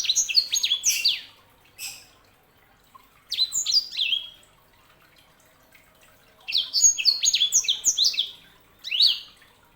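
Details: Sanger canary hybrid sings in separate bursts of high, fast, downward-sweeping chirps, each flurry lasting one to two seconds with silent gaps between.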